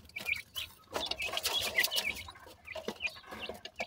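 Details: Grey francolin chicks chirp in fast, irregular high peeps, about three or four a second, partly masked by bursts of rustling and clattering noise.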